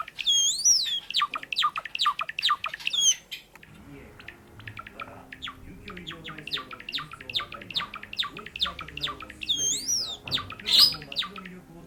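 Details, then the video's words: Pet sakura (cherry-blossom) Java sparrow singing indoors, its first attempts not quite full song: looping whistled notes sweeping high then a long run of rapid clicking, ticking chirps, with whistled phrases returning near the end; faint background music. "桜文鳥ほーちゃん！さえずる！ さえずり文鳥動画 Java sparrow chirping"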